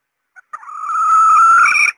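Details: Hen red junglefowl giving her lure call used to draw in males: a single drawn-out raspy note that swells and holds steady for over a second before cutting off.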